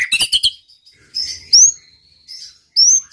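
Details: White-rumped shama singing to provoke rival males: a few quick stuttered notes, then thin very high rising whistles and a long drawn note, spaced by short silences.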